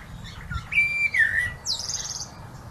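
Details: A common blackbird sings one mellow, fluted phrase of sliding whistles, then ends in a brief high, squeaky twitter over a faint low background rumble.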